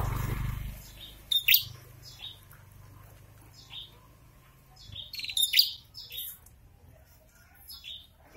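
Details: Male and female prinia in breeding condition trading calls: scattered sharp chirps and short buzzy downslurred notes, coming in loose clusters, over a faint low hum.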